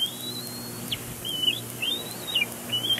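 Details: Bald eagle chick at Big Bear Lake nest, 27 April 2022, squealing during a tantrum aimed at its father. Thin rising whistles breaking into short wavering downslurred notes, several in three seconds, over a faint low hum.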